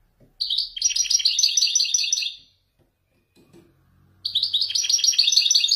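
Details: Moroccan wedani goldfinch singing authentic Marrakech descents: two long bursts of fast, tinkling, rhythmic twitters and trills separated by a quiet gap with faint low background rumble.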